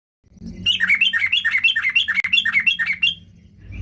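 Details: Sooty-headed bulbul singing in an energetic, chattering burst while seeking a rival: about a dozen quick two-part notes, each a bright upward flick dropping to a lower slur, run together for nearly two and a half seconds before fading.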